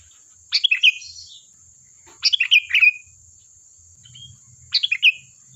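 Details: Sooty-headed bulbul song used to lure replies: three bubbly phrases of rapid descending notes, the middle one longer and rolling, with a faint whistled note and a low hum late on, plus a constant high hiss.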